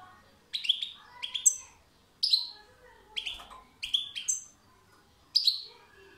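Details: European goldfinch song: a lively run of ringing, bell-like chirps in twos and threes, each with a buzzy downward tail, broken by short pauses.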